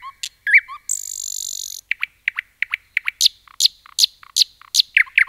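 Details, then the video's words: Nightingale singing in forest: a few slurred notes, a long high buzzing note, then a rapid sequence of loud repeated chirps and down-slurred notes roughly three a second. "Nightingale song"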